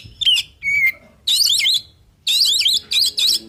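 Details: Oriental magpie-robin, a male, singing a fill-rich song to provoke answering birds: a pure level whistle alternates with loud, harsh, scratchy buzzing bursts lasting about half a second each, four bursts in all.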